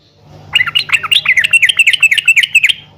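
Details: A caged yellow-vented bulbul sings so that other caged birds will respond. One continuous three-second phrase of rapid, jerky, bubbling notes that rise and fall, over a faint low hum.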